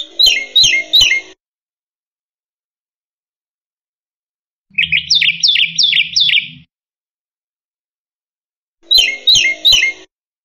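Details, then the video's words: A Black-winged myna (white starling) gives short bursts of four or five harsh, buzzy, high chattering notes, with long silences between the three bouts. "Suara Burung Jalak Putih Gacor Full Isian"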